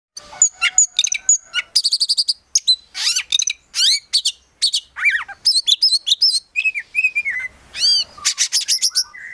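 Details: Oriental magpie-robin, a prospect bird in a collection, singing a busy full song packed with imitated phrases: rapid high chirps, sharp upslurred whistles and trills in quick bursts with only brief pauses.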